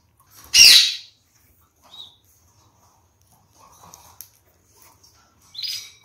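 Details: One of a captive pair of red-fronted parakeets feeding on seeds gives a loud, grating squawk, followed by faint chatter and small clicks, then a second, shorter, softer harsh call near the end.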